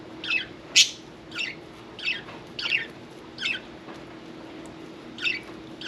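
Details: Bathing pet budgerigar uttering short scratchy chirps repeated roughly every half to three quarters of a second, one louder shrill squeak near the start, steady faint hum underneath.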